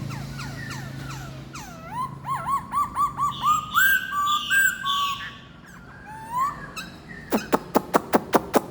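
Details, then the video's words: Four-month-old red-whiskered bulbul in song and wing-and-tail display: varied phrases of swooping whistles, a run of short repeated rising notes, then a series of sharp clicking sounds. "bò loang 4 tháng tuổi hót"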